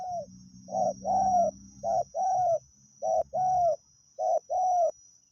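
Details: Wild spotted dove at decoy luring, giving clear repeated two-part coos, short then long and arching, about once a second, over a low droning hum and a high insect whine.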